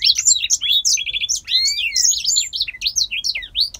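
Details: Captive male grey singer finch from Poland, a bird that sings all day, delivering a fast continuous warble of high slurred whistles, rising and falling notes and short trills, with no pauses and no other sounds.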